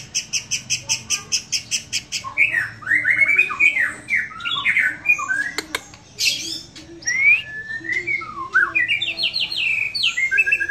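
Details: White-rumped shama singing in a relaxed way: a run of evenly spaced sharp high ticks, then a varied medley of warbled, slurred phrases and bright whistles, with a faint low hum behind.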